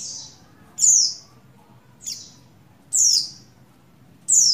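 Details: Female Oriental white-eye of the buxtoni form, in breeding condition, calling a male on 7/3/21: four loud, high, falling chirps spaced about a second apart, with low background hum.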